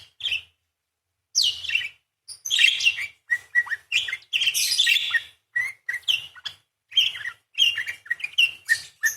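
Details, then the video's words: Busy parakeet warble with long beset crecet phrasing: continuous chattering of squeaky chirps, slurred whistles and harsh buzzy notes, interrupted by brief pauses. "PARKIT GACOR !! full materi nembak panjang beset crecet roll basic dasar murai // parakeet bird call"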